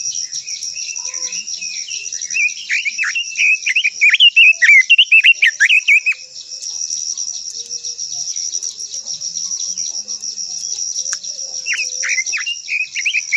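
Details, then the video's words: Long-voiced song of a Japanese white-eye, locally called quế lâm. A loud, rapid run of high twittering and sliding notes fills the first six seconds, then softer scattered chirps and another short warbled phrase near the end, over a steady hiss. "Chim quế lâm hót _ quế lâm hót hay giọng dài kích chim quế lâm hót"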